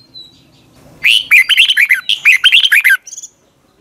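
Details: Red-whiskered bulbul morning song in the long double twisted style, used to train other bulbuls: a fast two-second burst of about ten loud, clipped whistled notes sliding down and up, after a faint high note.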